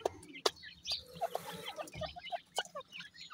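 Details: Grey francolin chicks, known locally as dakhni teetar, giving short, clear, mid-pitched peeps scattered irregularly among softer chirps and clicks, with a faint low hum underneath.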